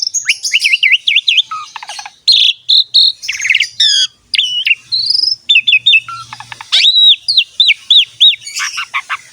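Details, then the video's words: Training song of a highly vocal Asian pied starling, used to get other songbirds singing: series of repeated looping whistled notes, scratchy chatter and sharp descending trills, continuous and loud. "MASTERAN BURUNG JALAK SUREN SUPER GACOR PALING DICARI"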